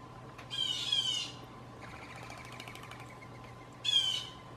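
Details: Backyard blue jay false alarm calls used to trick gray squirrels: two harsh nasal squawks about three seconds apart, the first longer and slightly falling, with a faint rattling sound between them and a low steady hum.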